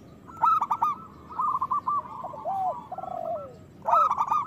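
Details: Local zebra dove singing loudly to prompt other doves into song: a fast series of clipped coos followed by a long lower falling note, the pattern starting again at the end.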